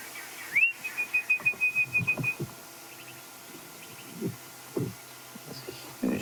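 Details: Orange-breasted Bushshrike singing in the wild amid a lively party of birds on African safari, not alarm calling: an upswept whistle followed by a quick run of short level whistled notes, then scattered clicks and other bird calls.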